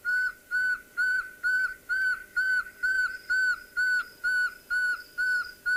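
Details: Pearl-spotted owlet call played on a safari broadcast on 28 July 2023: a steady series of clear, mid-pitched whistled notes, about two per second, each slightly downslurred, over faint background hiss.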